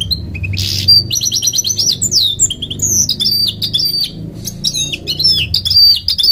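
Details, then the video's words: Goldfinch mule, a goldfinch and canary cross, in varied song: fast twittering phrases, repeated rising chip series and sharp slurred whistles, with a faint low hum in the background. "The Goldfinch Mule Was Distinguished By its Singing"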